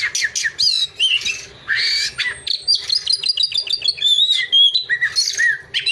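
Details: Magpie-robin song full of loud harsh squawks and sharp whistled phrases, switching quickly between buzzy notes and clear descending slurs, over a steady low hum.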